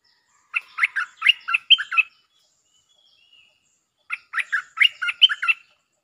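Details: Bulbul lure song with doubled phrases: two busy, chattering phrases of about ten warbled notes each, separated by a two-second pause, with one faint note in between.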